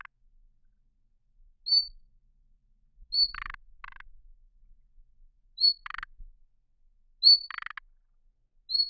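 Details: Thrush nightingale song: short, clear high whistles alternate with dry, harsh rattling bursts, phrases spaced a second or more apart in otherwise quiet surroundings.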